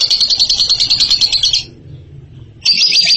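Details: Champion ngekek singer: a fast, shrill chattering burst, a short pause with only a low hum, then the high rapid chatter starts again.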